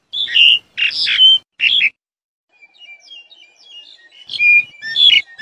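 Black-collared starling giving loud, harsh squawking notes in bursts, then a softer run of thin whistles and chatter before the harsh calls return.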